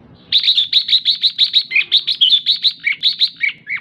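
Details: Female red-whiskered bulbul's ché call to excite males: a long, steady chatter of about twenty high chips at roughly five per second, some notes dipping lower toward the end.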